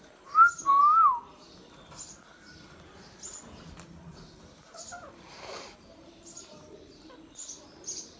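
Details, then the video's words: Talking pet ringneck parrot from India producing two mid-pitched, wavering whistled sounds close together, then softer broken notes and faint chirps against a low background hiss. "Indian talking Parrot | Parrot talking compilation | Parrot talking natural sounds \ Voice"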